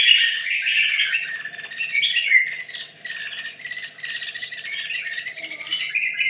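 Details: Red-whiskered bulbul from Hanoi, caged 2.5 years, rehearsing for a contest: a dense, continuous jumble of high warbles and chatter running through the whole stretch, with a low hum beneath.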